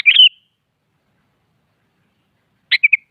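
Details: Sooty-headed bulbul in the morning, challenging a rival to a singing contest: a short bubbly, liquid phrase at the start, then silence, then three quick chirpy notes near the end. No other sounds.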